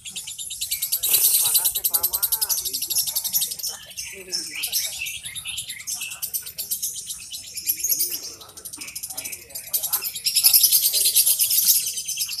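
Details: Competition lovebird delivering a long, piercing, high-pitched chattering song in rapid dense pulses, swelling and fading in loud bursts, with scattered lower squeaks mixed in.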